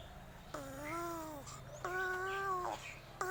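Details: Odd, whining crow voice: two long, steady, nasal tonal calls with stacked harmonics, the second louder and sustained near a second, separated by a short pause, with a low hum underneath.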